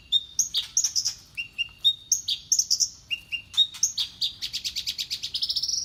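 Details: Horsfield's bush lark, a mimic of other birds' voices, delivers varied high whistled phrases, short upslurred notes alternating with clear descending ones, ending in a fast rising rattle of chips.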